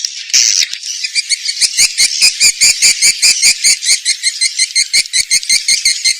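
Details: Swiftlet call used as a lure to draw swiftlets in: a steady series of sharp, buzzy chirps repeated about two to three times a second.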